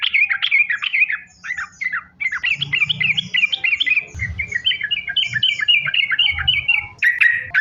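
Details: Lure song of a sooty-headed bulbul, sung nonstop in the chained 'sambung ropel' manner to prompt other bulbuls to call; long series of quick, sharply down-slurred whistles repeated in rhythmic runs with soft low thumps.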